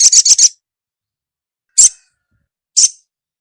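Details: Female ruby-cheeked sunbird calling the male: four quick high chirps in a tight cluster, then two single sharp chirps spaced about a second apart.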